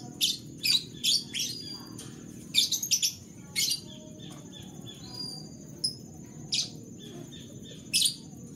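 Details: Morning canaries: a fast run of sharp, scratchy chirps in the opening three seconds, then scattered single chirps and a few thin whistled notes, with a constant high-pitched tone running underneath.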